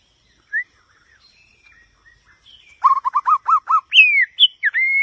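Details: Song of a white-rumped shama: a lone whistle, a quiet pause, then a fast series of short rising looped notes leading into louder sweeping whistles and a sustained clear tone.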